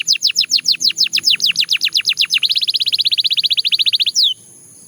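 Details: Belgian canary delivering a rapid series of falling whistled notes, switching to a quicker high trill and ending with one long downslurred whistle.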